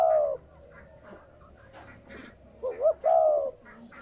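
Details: Spotted dove cooing, played to stimulate captive doves to coo: a soft low coo at the start, then two short rising notes and a longer mellow coo near the end.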